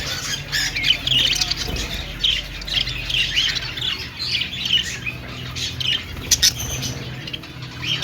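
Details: Budgerigar singing and dancing: dense, continuous chirping and scratchy warbling chatter, with squeaky notes tumbling over one another for the whole stretch and a low background hum.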